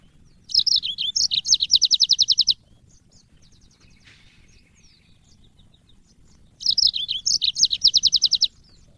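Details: Yellow-fronted canary song for training cage birds: two bursts about four seconds apart, each opening with varied high whistles and finishing in a fast, even trill of repeated clipped notes.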